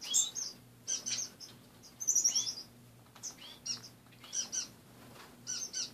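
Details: Caged finches in the morning, their cage stripped of most perches, utter scattered high chirps and short buzzy notes in small clusters separated by pauses, with a steady low electrical hum underneath.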